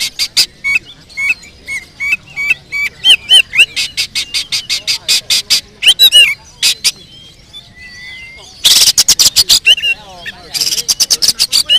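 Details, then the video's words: Oriental magpie-robin delivering 'isian tonjolan' fill song: a rapid train of sharp, clipped notes repeated several times a second, mixed with whistled phrases and dense bursts of harsh chattering. "Isian tonjolan burung kacer"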